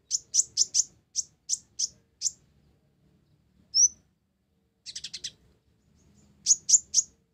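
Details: Kolibri ninja blorok, the olive-backed sunbird, in gacor isian gereja song. A run of about ten crisp high chirps, one lone rising chip, a short buzzy chatter, then three more quick chirps.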